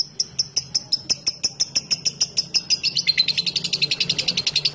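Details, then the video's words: Lovebird ngekek trill, said to draw other lovebirds into singing: a rapid run of sharp high chirps that tightens and quickens toward the end into a denser chattering trill, over a faint low hum. "Suara Burung LoveBird Ngetik Ngekek Panjang Terbukti Ampuh Pemancing Love Bird langsung Ikut Ngekek"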